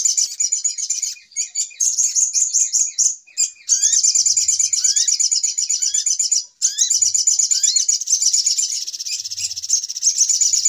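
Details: Little spiderhunter trapping lure with almost continuous high, rapid chattering trills overlaid by occasional rising whistles, pausing only briefly twice.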